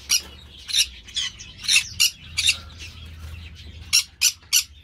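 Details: Green-cheeked parakeet kept by an amateur breeder, repeatedly giving short, loud, harsh rasping squawks in irregular bursts about every half second, with quieter scratchy chatter between them.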